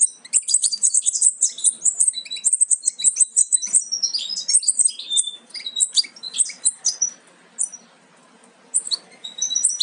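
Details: European goldfinch nestlings, nearly ready to leave the nest, twitter together in a dense, high, tinkling chatter of rapid overlapping chirps that thins out briefly near the end.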